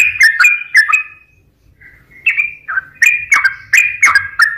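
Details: Sooty-headed bulbul lure song for stressed or reluctant birds: a few quick whistled phrases, then a near-silent pause of about a second, then the chattering, whistled notes resume more loudly.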